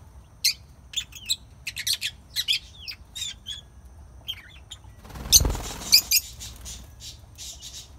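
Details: Lovebirds chirping: short sharp high chirps and downward-sliding squeaks scattered through the first five seconds, then a brief burst of rustling or flapping noise with a few more chirps.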